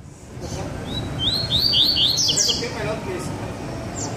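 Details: Double-collared seedeater, one of two birds singing: an accelerating series of clear upslurred whistles breaking into a dense, scratchy high trill, then fading, over a low background drone.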